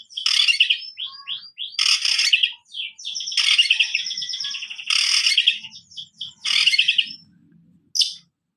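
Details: Oriental magpie-robin in full song: loud harsh, scratchy bursts alternating with quick whistled slurs and chattering notes, in repeated phrases about every one and a half seconds.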